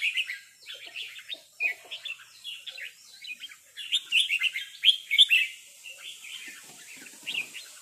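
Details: Red-whiskered bulbuls calling back and forth, one answering a resident territorial bird: busy overlapping bubbly chirps and short warbled phrases, loud and close, with brief gaps between bursts.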